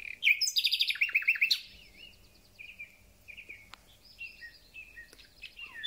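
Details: Thrush nightingale singing as spring begins: a rapid rattling run of repeated clipped notes, followed by softer fluty warbles and short whistled phrases at lower volume.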